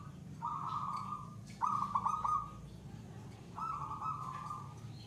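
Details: Zebra dove (perkutut) in "gacor" song, the third song stage with long duration: three soft, sustained cooing phrases at a steady mid pitch, one broken into a rolling trill, over a low background hum.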